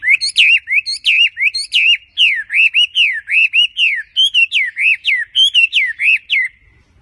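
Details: Tame wambi bird singing vigorously: a fast series of clear whistled notes, each swooping down then up, repeated about twice a second with short gaps between them. No other sounds are heard.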